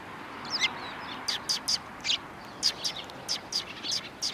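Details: Sparrows recorded on 13 December 2019 on the road just before a Tenmangu shrine: scattered thin high chirps, one slurred note, then a steady series of clipped chirps about every quarter second over faint background noise.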